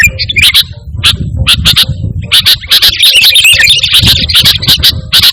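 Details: Sooty-headed bulbul in lively song without mimicked phrases, used to call and tutor kept birds: bursts of sharp, high chips mixed with short warbled twists, delivered in quick clusters over a low rumbling background.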